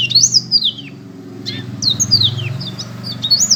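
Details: Black-throated canary delivering high, descending whistled slurs and twittering notes in short bursts separated by a quiet gap, low hum in the background.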